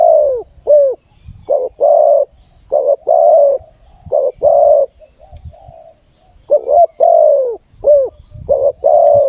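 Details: Spotted dove at a ground decoy-trapping site in Thailand, with a caged decoy luring a wild bird. Dense, repeated mellow coos, some with a downward-curving tail, in groups of two to four, separated by brief gaps.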